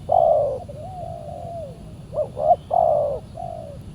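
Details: A spotted dove, described as very fierce and aggressive, calls back during Saturday luring with a decoy. It gives low, soft, hollow coos: a long note, a gentle sliding one, then quick clipped doublets and a final drawn-out coo.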